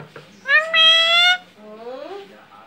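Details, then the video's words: Talking pet Alexandrine parakeet saying mummy indoors: one loud, flat, harmonic-rich drawn-out note, then a softer rising and falling syllable. "Talking Alexandrine parrot saying mummy"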